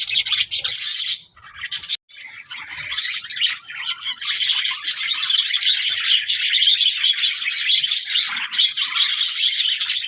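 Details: Sustained budgie talking: a long, dense, high warble of chirps, rasps and squeaks that barely pauses for ten seconds, apart from one sharp break near the second second.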